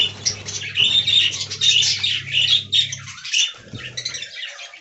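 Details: Budgerigars in an aviary colony, giving dense, scratchy high chatter with squawky bursts that rise and fall in waves, over a steady low electrical hum that cuts out near the end.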